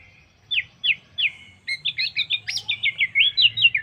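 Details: Orange-headed thrush lure song to prompt other birds to sing: three spaced downslurred whistles, then a quick run of about a dozen bright twittering notes rising and falling.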